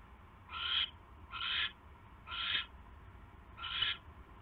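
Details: Barn owl nest at 7:24 in the evening in January during a mouse delivery: four rasping, hissy shrieks about a second apart over a steady low hum.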